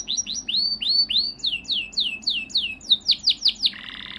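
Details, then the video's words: Yellow canary singing a series of clear, downward-sweeping whistled notes repeated about six times a second, growing brighter, then ending in a short buzzy rattle. "pila Canary"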